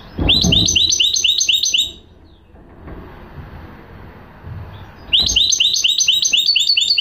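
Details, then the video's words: Two bursts of sharp, repeated tinkling notes from a goldfinch hybrid, divided by about three seconds of low background rumble. "chant mulet de chardonneret"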